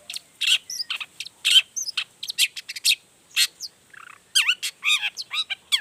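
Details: Long-tailed shrike in full, emotional song, showing off varied borrowed material to stir other shrikes to reply: rapid high chirps and rasps, then a low rattle and a string of curved, slurred whistles near the end.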